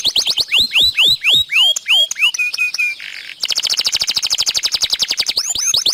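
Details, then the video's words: Singing canary in a long, continuous performance used to prompt other canaries: descending whistled sweeps in quick succession, a brief buzzy note, then a rapid, even rolling trill finishing with rising whistles. "Bunyi Burung Kenari Gacor Panjang Cocok Untuk Pancingan"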